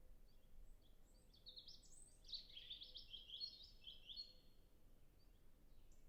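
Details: European robin singing in a natural reserve in early spring, temperate climate, recorded at a distance on a Zoom F6 with a Sennheiser MKH 8040; one long, high, thin warbled phrase of quick varied notes over a low steady background hum.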